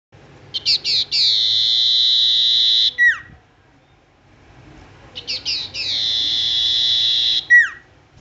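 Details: Tailorbird in full, active song: two matching phrases of quick rising chips, a long sustained high tone and a sharp downward-sliding end note, with silence between them.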